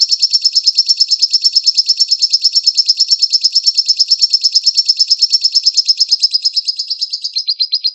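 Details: White-rumped shama singing: a high, steady, rapid rattling trill of even notes, about three per second, held for about seven seconds before shifting slightly lower at the end.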